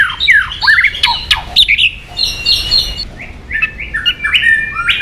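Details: A White-rumped shama sings to provoke aggression, giving swooping whistles and chattering notes followed by short, even high whistles.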